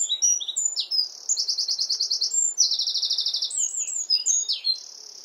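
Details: Full song of a wren competing with the wind, a shrill, loud cascade of rapid notes with two long machine-gun trills and piercing twisting whistles, continuing to the end; light wind hiss in the background.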